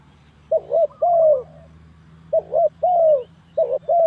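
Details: Spotted dove call used as a lure for trapping: three phrases of soft, mellow coos, each a pair of short notes followed by a longer drawn-out coo, with a faint low hum underneath.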